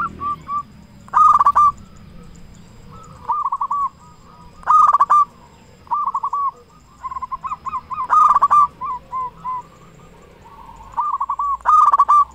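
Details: Local zebra dove with a big voice, used as a lure to make other zebra doves sing: loud bursts of quick, rolling coo notes recur every three to four seconds, with softer cooing doves continuing between them.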